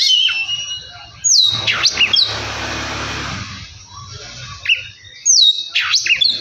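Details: Oriental magpie-robin song played to provoke singing: sharp high whistles with steep downward sweeps in two bursts, separated by a stretch of broad rushing noise.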